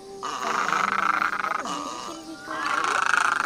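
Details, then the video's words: Great egret giving two long, harsh, grating croaks, each over a second, with a low rasping buzz and a short pause between; a flock-calling recording used to lure great egrets for hunting or trapping. "Tiếng Cò Ngàng - Tiếng Cò Trắng Lớn"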